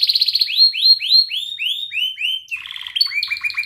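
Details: Belgian canary sings a fast run of bright, sweeping whistled notes, about four a second, then breaks into buzzy rattling trills.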